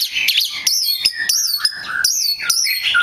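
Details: Lure song of an Oriental magpie-robin meant to prompt other magpie-robins to sing: loud, clear whistled phrases with arching and falling notes, interspersed with short scratchy chirps.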